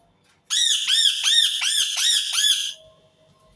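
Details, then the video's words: An Indian ringneck parakeet screams in a rapid run of about seven harsh, arching squawks over two seconds, each rasping note rising then dropping, in a quiet indoor space. "صوت ببغاء الدرة الهندي حفز طيورك على التغريد والصراخ"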